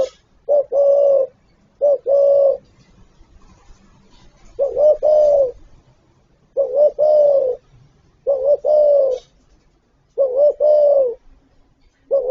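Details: Spotted dove calling in the gáy gọi, thúc and gù styles: six low mellow phrases about every two seconds, each one or two clipped notes leading into a sustained, slightly wavering coo.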